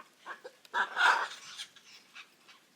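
Hyacinth macaw giving a loud, harsh, grating squawk, with a few shorter raspy notes before and after it.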